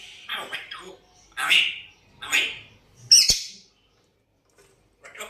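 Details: African grey parrot, always whistling and trying to talk, giving a few harsh, breathy squawks and short whistles spaced about a second apart, ending in a sharp click and brief silence.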